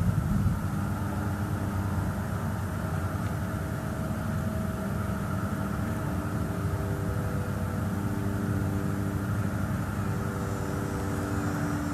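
Steady engine hum with droning tones and no animal sounds.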